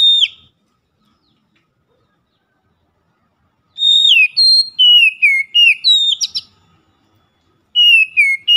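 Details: Kacer, the Oriental magpie-robin, giving its loud daily 'ngeplong' lure song. Long silences separate the phrases. The main phrase is a quick string of clear, downward-sliding whistles ending in a buzzy burst.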